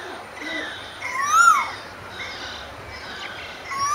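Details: Asian koel singing a single loud rising-then-falling whistled note with rich overtones, followed by a second note starting at the very end; faint chatter and a low background hum underneath.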